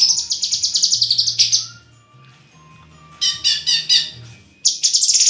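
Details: Murai (white-rumped shama) pouring out a rapid pulsed rattle, falling silent, then resuming with stuttering harsh phrases and another quick high chatter.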